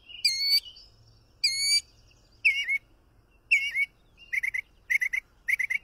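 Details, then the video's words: Mockingbird song that switches phrase types: two harsh raspy notes, two slurred whistles, then quick paired chirps in a rapid rhythm, each type repeated before moving on. "Пение Пересмешника"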